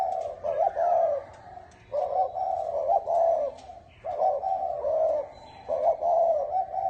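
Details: Spotted dove of the 'bronze bell' style, cooing to attract wild doves and stir up males and females: rolling low coo phrases in bursts of about two seconds, with short quiet breaks between them.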